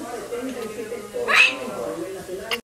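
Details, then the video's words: Umbrella cockatoo, a talking white cockatoo, speaks in a voice-like, wavering tone, with a brief rough, higher burst in the middle and a click at the end. "Talking white cockatoo"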